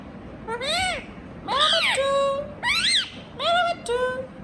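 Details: Indian ringneck parakeet talking indoors: four high, harmonic, speech-like phrases with arched and rising-falling syllables and short level notes, separated by brief pauses, over a quiet room hum.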